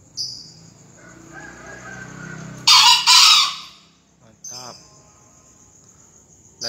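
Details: Crowing green junglefowl filmed for a 2020 crowing competition: a harsh two-beat crow mid-clip, with a low murmur beforehand, a brief nasal sound after, and chirping insects throughout.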